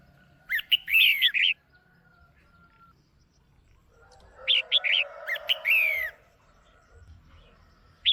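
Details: Caged female red-whiskered bulbul calling to stir up a male, giving two lively phrases of chirps and wavering whistles separated by a few seconds of near silence, with a faint hum.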